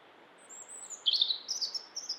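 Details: A European robin in Estonia sings a thin, very high drawn-out whistle, then a quick tumble of bright, warbling notes, over a steady background hiss.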